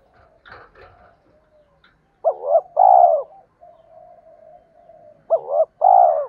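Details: Spotted dove coos, in the local style, played to rouse males and train decoy birds: brief scuffing noises first, then two phrases of a doubled coo plus a long hoarse note, soft humming between.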